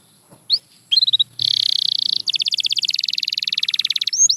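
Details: Canary song for training: after a few scattered chirps, a steady buzzy trill leads into a long rapid pulsed roll of repeated notes, closing with a quick rising whistle.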